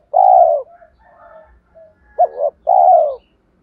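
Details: Spotted dove, a lure bird for wild doves, opens with a long smooth coo, then quieter murmuring notes, then a brief doubled note and another long coo.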